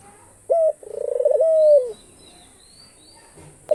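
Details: Australian dove, a pet bird, cooing: a short flat note, then a pulsed, throbbing phrase that swells into a long, smooth, slowly falling coo. A quiet stretch follows, and the next call starts at the end.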